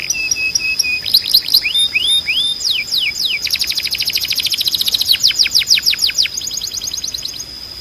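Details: Canary singing training song: level whistled notes and rising slurs, falling sweeps, a long quick rolling trill, then a string of steep downward swoops fading into a thin high rattle.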